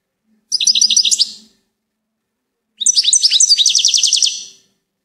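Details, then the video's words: A short goldfinch twitter followed after a pause by a longer, brighter phrase of jangling chirps and rolling trilled notes. "Gold finch TOP SONG of the day"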